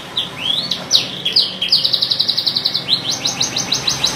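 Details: Singing canary delivering rising slurred notes that lead into a quick, rattling trill of repeated high syllables, then a slower run of bright downslurred chirps.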